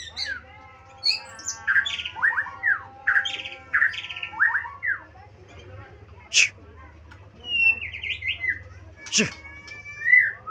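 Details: Magpie-robin singing: a varied run of loud whistled and slurred notes, some rising and some falling, in quick phrases, with sharp harsh squawks and a trill-like series of rising notes, over a steady low electrical hum.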